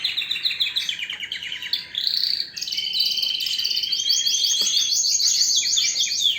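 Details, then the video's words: Canary song moving from a descending series of quick notes into long, fast rolling trills of evenly repeated high chips that carry on to the end. "اقوى تغريد طائر الكناري"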